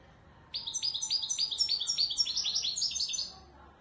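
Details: European goldfinch singing in the authentic Moroccan Widani Marrakchi style: a quick run of bright, high twittering notes, each a short downward-slurred chirp, strung together for nearly three seconds over a quiet background.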